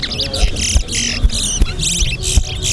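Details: Large-billed Seed-Finch (towa towa) in a singing race at Mahaica, Guyana: bright, quick, high-pitched warbling bursts in short phrases over low rumbling noise and a man's voice counting the songs.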